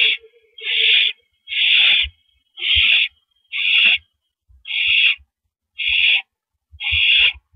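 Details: Owl on a porch perch in the evening of April 9, 2012, producing breathy rasping hisses about once a second, eight in under eight seconds, with a faint low hum at the start and scattered knocks.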